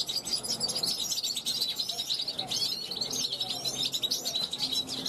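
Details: Balcony European goldfinch born in 2021 calling to wild passers-by of its kind; lively high twitter of quick chirps and buzzy trills, rising and falling in short bursts with hardly a break.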